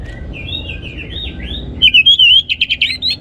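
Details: Orange-headed thrush lure song, used to stimulate other birds into steady singing: looping slurred whistles rising and falling, then a burst of rapid clear notes about four per second, with low background hum throughout.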